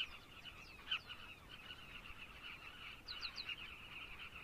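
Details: Carmine bee-eaters in Zambia keep up a softer chattering chorus. A louder rolling call comes near the start, and three quick rising notes follow later.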